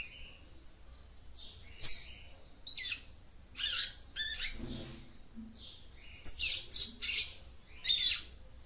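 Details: Female Yellow-bellied Seedeater song, used to stimulate the male: sparse, high chirps and short buzzy notes in separate bursts, with quiet gaps between them and a faint low hum underneath.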